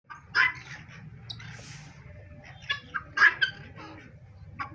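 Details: White guineafowl kept as pets give harsh, grating bursts of calling, repeated in ragged clusters.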